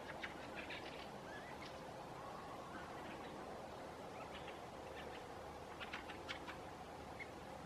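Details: Fieldfares in late summer in Southern Ostrobothnia, Finland, give scattered harsh, dry chattering chacks in short bursts over a steady rumble of a passing airplane.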